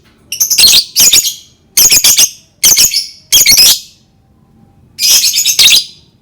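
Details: Lovebird giving five or six loud, grating, high squawking bursts, each made of a few rasping notes, separated by short pauses, over a low background hum.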